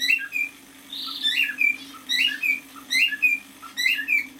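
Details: Half-year-old male cockatiel singing indoors: a string of short whistled phrases, each a quick rise then a falling note, repeated roughly every second, with one brief buzzy note and a constant low electrical hum.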